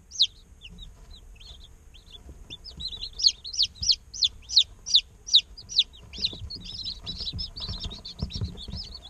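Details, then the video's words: Day-old chicks in an incubator chirping: high, downward-sliding peeps that come in a loud, regular run of about ten mid-clip, then a denser, softer chatter of overlapping peeps with light background thumps. "Chicks Chirping Sounds - Baby Chicken Sounds 20 Minutes - Incubator Sound Helps Chicks Hatch"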